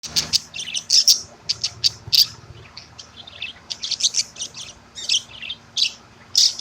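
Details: Pet budgerigar at 8:30 in the morning, during what is described as a calcium workout. High, bright chirps and short warbled notes come in quick, uneven bursts with brief pauses, over a faint low hum.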